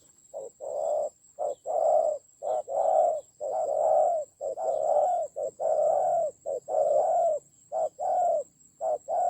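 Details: Decoy spotted dove during a heated fight, Central Highlands, Vietnam, October 2020: a dense, insistent run of short-long coo pairs, nearly one per second, rough and low, with constant high electronic whine.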